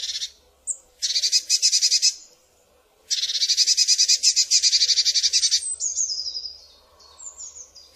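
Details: Eurasian blue tit giving two long harsh churring rattles of rapid buzzy pulses, the second lasting over two seconds, ending in thin high descending tseep notes.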